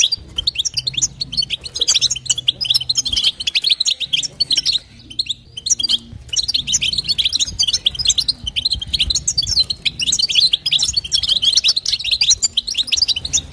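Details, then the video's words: Female European goldfinch calling to stimulate a male, in batbata and sastasa style. Lively high twittering chatter with a brief quiet spell near the middle, then dense chirps and trills again. "نداء انثى الحسون لتحفيز طائر الحسون | بتبتة وستسته جديده"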